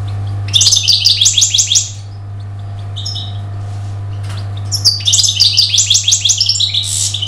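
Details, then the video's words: European goldfinch song: two fast, high, tinkling twitter runs of rapidly repeated notes, with a short pause between them and a faint low hum beneath. "تغريد طائر الحسون"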